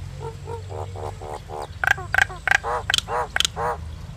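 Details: Common myna: a series of low nasal gurgling notes in steady rhythm, interrupted by sharp high clicks and brief whistles near the middle, with a low background hum.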